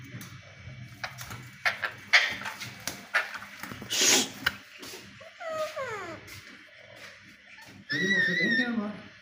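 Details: Alexandrine parakeets in a fight: a scuffle of sharp knocks and bursts of noise, a quick falling string of chirps, then a loud harsh squawking call with rough overtones near the end.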